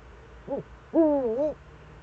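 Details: Eurasian eagle-owl, Eifel, 4 February 2014, recorded between 7:27 and 7:46: a brief low hoot followed by a longer, wavering, drawn-out call, over a faint background drone.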